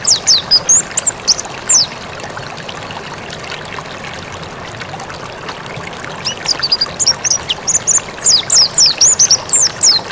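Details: Mountain white-eye, recorded for training birds, gives two bursts of fast, high, sharp chirping, one at the start and one after a quiet gap, each a run of bright, sliding notes over steady hiss.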